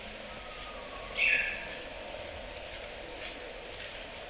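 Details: Yellow-throated bunting call: very high, thin, short ticking notes, single or in quick pairs, spaced irregularly about half a second to a second apart, over a steady low background hiss with one brief lower smear.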